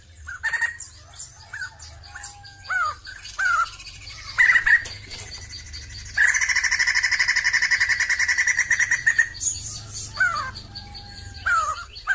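Sumatran laughingthrush giving loud, varied whistled phrases and slurred notes, then a long rapid churring rattle of about three seconds before more whistles.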